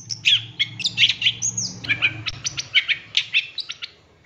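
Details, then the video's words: Long-tailed shrike, cendet, in a master recording meant to train captive birds, full-fill song style: dense run of sharp chirps and short trills with one upslurred whistle, over a low steady hum. "Masteran Cendet Full Isian Nembak Mewah"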